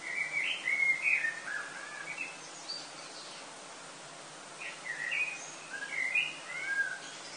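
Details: Common blackbirds sing before sunrise on a summer morning in Lille, France, 7 August 2018: mellow, fluted warbling phrases ending in brief higher twitters, two phrases a few seconds apart, over a faint steady hiss.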